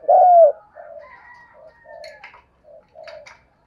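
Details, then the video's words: Spotted dove, used to coax a newly caught wild bird into cooing. One loud, low, slurred coo opens the clip. Much fainter coos and a few thin chirps from other birds follow. "cu gay kich boi nhanh noi gù"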